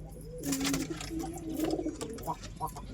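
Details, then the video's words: Two drawn-out, low pigeon coos, the second slightly wavering, followed by softer murmuring notes amid background rustle. "Real pigeon sound"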